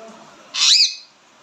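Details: A single loud, shrill screech from an Indian ringneck parakeet, rising then dipping, lasting under half a second.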